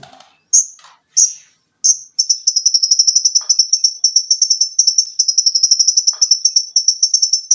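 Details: Olive-backed sunbird (konin) song used as a training recording for cage birds: a few loud high sharp notes, then a rapid dense run of very high ticking, trilling notes repeated in quick succession.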